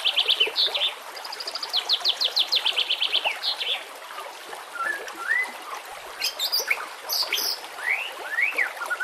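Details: White-rumped shama singing over trickling water on a training recording: a long rapid series of repeated chirping notes, then clear slurred whistles rising and dipping, with sharp high notes between.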